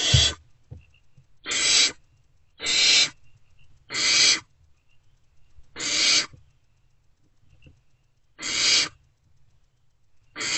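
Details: Unfed wild great horned owlets in a nest box at 5:31 am on 3 March 2024 react to an adult's return with harsh, hissing screeches, about seven bursts each roughly a second and a half apart.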